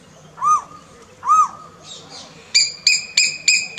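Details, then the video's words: Asian koel courting in Jaipur, Rajasthan, India: two loud arching whistled notes about a second apart, then a brief rasp and a fast series of sharp, ringing clicks repeated roughly every third of a second. "Koel on Date कोयल अपनी दोस्त के साथ डेटिंग में"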